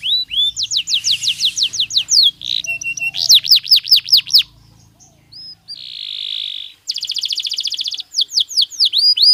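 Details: Singing Belgian canary, natural song for daily stimulation: quick trills of falling notes, a brief pause, a buzzy sustained passage, then another rapid rattle and curved whistled notes.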